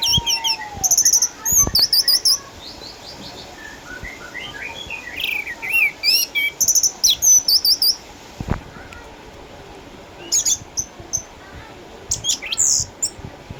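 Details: Captive eight-year-old orange-headed thrush from Sukabumi, Indonesia, a former contest champion now kept at home because of cataracts, still singing eagerly: rapid bursts of high, varied chirps and sliding whistles in clustered phrases, with short pauses and a few clicks.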